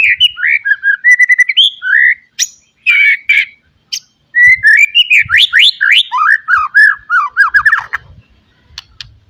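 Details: White-rumped shama full fill song as tutoring material for raw birds: rich whistled warbles, scattered sharp clicks, then a long rapid run of downslurred whistles fading out.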